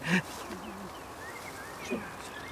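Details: Black swan on a pond: a brief loud note, then a soft low wavering hum lasting about half a second, and a second short note near the end, while thin whistles of other birds drift behind.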